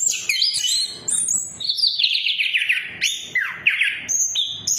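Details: Lure singing of the orange-headed thrush for birds that will not sing: bright high whistles giving way to a long descending buzzy trill, then a falling slur and clear whistled notes.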